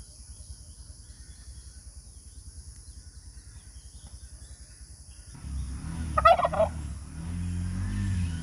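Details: Male turkey giving one short, rattling gobble burst late in the recording. A steady low mechanical rumble runs throughout and grows louder just before the call.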